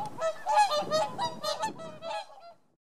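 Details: Whooper swans wintering in Holland after arriving from Scandinavia, calling as a group: a quick run of overlapping trumpeting honks, nasal and ringing, rising and falling in loudness, then trailing off into silence near the end.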